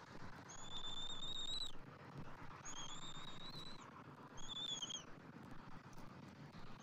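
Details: Bald eagle at its nest on 27 January 2024 as the father feeds the eaglet fish and red meat: three drawn-out, thin, steady high whistles, each about a second long, separated by short pauses, over low noise.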